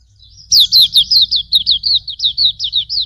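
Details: Auriventer white-eye used as a master song: about two and a half seconds of rapid, bright chirps sliding downward, delivered in an unbroken rhythmic stream.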